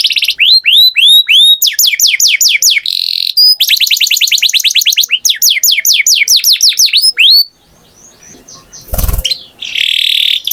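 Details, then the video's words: Canary singing: rapid trills of repeated rising and falling whistled notes in varied phrases, a steady buzzy tone near the end, and a short quiet gap with a brief click. "Canary Singing Beautifully"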